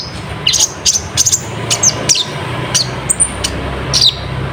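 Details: Sunbird song used to provoke other birds into singing: a string of short, sharp, very high chirps and thin downslurred notes, repeated irregularly, over a steady loud background hiss and low rumble.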